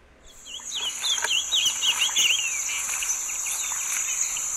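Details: Male Olive-crowned Yellowthroat song: a rapid, rich warbled phrase of slurred up-and-down notes over about three seconds, with a steady high insect hiss behind it.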